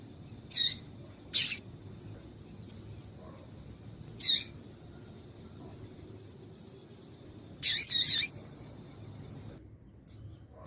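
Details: Female double-collared seedeater calling, meant to get a male singing: roughly eight short, shrill high chirps at irregular intervals, including a quick double near the end, over soft steady hiss.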